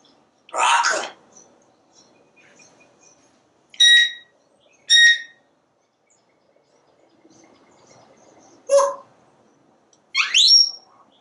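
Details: Porch-dwelling pet parrot, watching squirrels and birds through a screen: a hoarse spoken syllable, two sharp ringing whistles, a clipped squawk, and a final rising whistle, with pauses between each.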